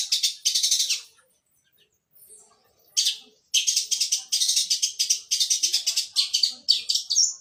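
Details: Fighting long-tailed shrike giving suara gereja, a sparrow-voice song: a harsh chirp burst, a pause, then fast, dense, scratchy chirping repeated in tight runs.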